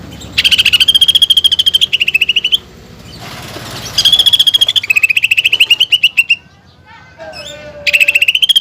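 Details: Greater green leafbird in full song packed with fill-ins of fighting-sparrow bursts and woodpecker-like notes, offered as training material: three bouts of rapid, high, evenly pulsed notes, with brief pauses and a lower drawn-out whistle near the end.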